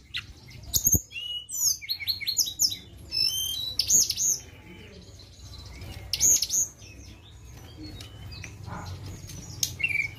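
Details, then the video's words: Flowerpecker lure song: dense clusters of high, piercing, sharp chips and thin whistles in spaced bursts, fading to a single high note at the end over a low background hiss. "Pancingan Ampuh BURUNG TLEDEKAN"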